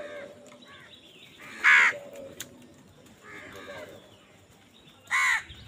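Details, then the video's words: Crows fighting for food, giving loud harsh caws: two strong broadband caws about three and a half seconds apart, with fainter rasping calls between and a low background hum. "কাকের ডাক Crow Sound Crow ki Awaz Loudly | Crow bird Fight for Food"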